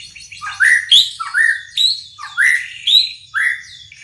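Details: White-rumped shama repeating a rising, slurred whistle about every half second, each note sweeping upward with soft grace notes around it.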